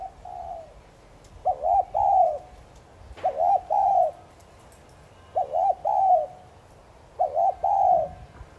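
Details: Spotted dove giving 'thúc gù' cooing, used to spur newly caught doves into calling. Low, hollow three-part coos: two short rising notes, then a longer falling note. The phrase repeats about every two seconds, five times, over quiet background.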